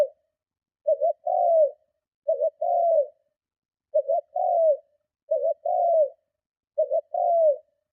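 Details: Spotted dove repeating a powerful coo meant to lure and provoke other doves. Five even, low phrases roll on steadily, each a stuttering double coo and then a longer downward-sliding note.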